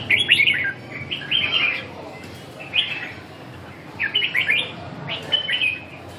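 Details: Short, bright, chattering phrases from a red-whiskered bulbul in training, repeated roughly every second or so with gaps between, over faint background noise.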